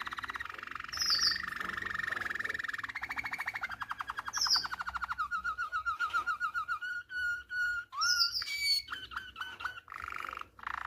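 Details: Song of a Malinois canary, used to train young canaries: a long sustained rolling trill shifting pitch slightly, then evenly pulsed notes, high sweeping whistles and short clear calls.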